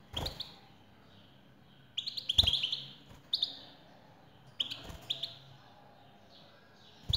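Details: Male European goldfinch singing in reply to a female's call: twittering phrases of high, slightly buzzy notes come in bursts roughly every one to two seconds, with low thumps between.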